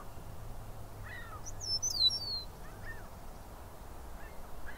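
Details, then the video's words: Eastern meadowlark singing in Southern Ontario, Canada: a short burst of clear, high, slurred whistles that drop in pitch, with lower distant bird calls and a steady outdoor hiss behind. "Eastern Meadowlark Calls/singing"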